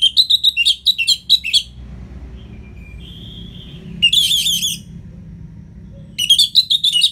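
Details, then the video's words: Ngeplong-style singing of an Orange-headed thrush, used to spur lazy birds: a quick run of about seven sharp, chopped whistles, a soft held note, then two more dense warbling bursts. "ANIS MERAH Ngeplong Masteran Jahat Untuk Burung Yang Malas Bunyi"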